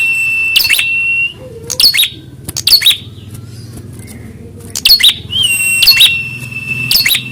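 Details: Prinia responding to a rival during a fighting test: loud metallic chipping bursts in quick groups, broken by long steady high whistled notes, with a faint low hum underneath.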